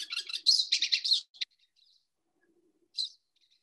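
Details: Pine Siskin song recorded in New York: a rapid, buzzy jumble of high twittering notes just over a second long, then two short separate notes, mimicry possibly including tree sparrow.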